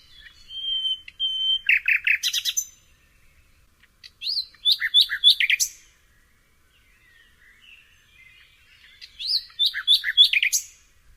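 A common nightingale sings in three bursts: a pure whistled note, then rapid rattling trills and sharp, varied phrases, with pauses between.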